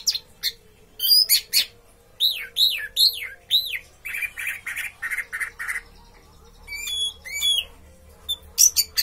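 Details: Orange-headed thrush kept as a caged songbird, delivering teler-style song: separate sharp chips, a series of arched whistled slurs, a harsh buzzy rattle, then thin rising whistles and squeaks.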